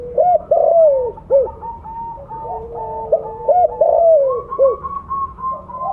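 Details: Spotted dove of the blorok colour type, a loud lure bird, repeating rounded cooing phrases of short arched notes and a long falling coo, with other doves answering at higher pitch behind.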